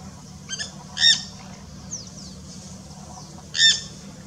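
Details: Wild, free-living Jandaya parakeets (Aratinga jandaya) give harsh, grating screeches, a weaker one then two loud ones a few seconds apart, with faint thin whistles from other birds between.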